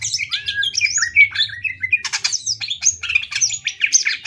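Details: Greater green leafbird song played for training other birds: dense, varied high chattering with slurred whistles, buzzy bursts and quick trilled notes following one another without pause, over a soft low hum.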